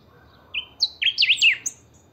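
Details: Kept Saffron finch (chiviro) singing the 'pica' song style, used to stir other chiviros into song: a brief high strained note, then a quick run of sharp, buzzy, rising and falling slurred whistles ending in a thin high chirp.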